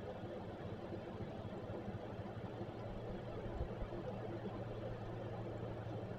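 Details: Steady engine-like hum and faint rumble continue without any animal voice.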